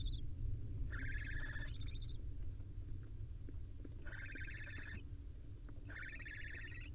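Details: Male barn owl delivering a nestling swallow to owlets at a wild nest, captured by a nest camera. Three bursts of fast, chittering trills, each nearly a second long, spaced about two to three seconds apart over low rumble.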